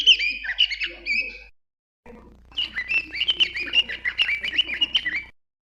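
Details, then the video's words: Bird warbling in fast, fluid whistled phrases of rising and falling high notes, a short phrase then a longer, busier one after a brief break, over a low steady hum. "Birds chirping sound"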